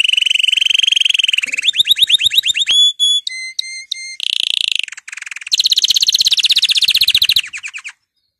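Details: Excited male canary singing as birds are prepared for breeding: long fast trills, bright rising notes, clipped pure whistles on a few steady pitches, then a dense buzzy rattling trill that ends abruptly.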